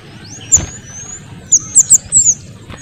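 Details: Small minivets, male and female together, very noisy, used to tutor or provoke oriental magpie-robins and to lure other minivets; thin, very high, sharp upslurred whistles, single then in quick runs of two and three, over low background rumble.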